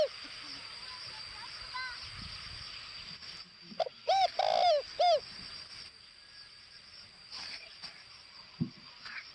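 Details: A decoy spotted dove from northwestern Vietnam gives a phrase of three or four loud, hoarse, arching coos mid-recording. Quiet hiss, a steady high whine and faint scattered sounds fill the rest.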